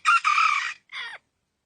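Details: Rooster crowing: a loud, harsh cock-a-doodle-doo in a short burst then a long strained middle note, ending with a separate falling final syllable after a brief gap.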